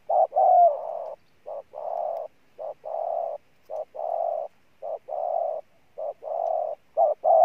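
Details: Newly caught spotted dove cooing strongly, its low mellow phrases each a brief clipped note followed by a longer sustained coo, steadily repeated about six times with short gaps and no other sounds.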